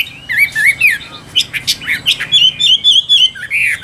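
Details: Caged Chinese hwamei in full song: rich whistled notes mixed with sharp, harsh chips, then a run of quick repeated whistles at an even pitch and a final upslurred phrase.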